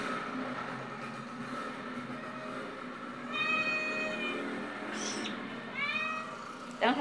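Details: A hungry pet cockatiel, perched on an arm and about to be fed rice indoors, gives a few harmonic, whistled calls, some rising upward, over background music.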